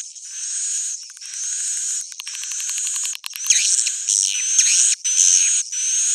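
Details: Old-style original swiftlet sound: dense high buzzy twittering in long bursts, with rapid ticking pulses midway and a few sweeping chirps rising and falling near the end.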